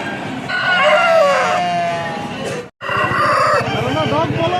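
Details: An Aseel rooster at a local pet market gives one long, hoarse crow that swells then falls away, followed by people talking and market bustle.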